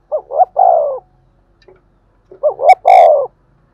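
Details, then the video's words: Spotted dove giving the urging thúc gù coo, used to lure and stimulate other doves: two clean phrases of soft hooting notes, two short rising coos then a longer falling one, separated by a brief pause and a faint click. "tiếng cu thúc gù hay dùng kích bổi hiệu quả"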